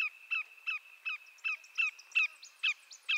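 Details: Greater yellowlegs, a large North American shorebird recorded in Canada, repeating about ten sharp downslurred whistles at an irregular pace, the later notes louder and ringing.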